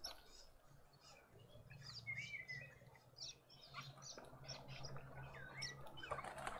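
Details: Dark-capped bulbuls (Pycnonotus tricolor) at a feeder in a suburban garden in Pretoria, South Africa, give short liquid chirps and a few whistled notes at an irregular pace, with a low steady hum and some fluttering underneath.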